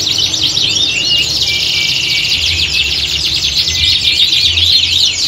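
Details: Several canaries sing together in a setting styled like a singing-competition hanging ground, used to train birds' mental toughness; dense overlapping high trills, rapid chattering notes and rising whistles run nonstop, over a faint low hum.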